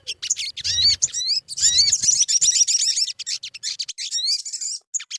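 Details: Sogon lure song for making birds sing: a fast burst of sharp chirps and rising looped whistles, densest in the middle, then thinning into scattered high notes.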